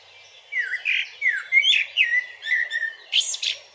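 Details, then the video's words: Blackbird song from a Zagreb forest park in Croatia, captured on a Panasonic Lumix: a string of slurred, fluty whistles, some dropping in pitch, ending with scratchy high-pitched twitters. "Happy Blackbird 9 / Amsel Gesang / Merle Noir Chant / Kos pjeva / Il Canto del Merlo"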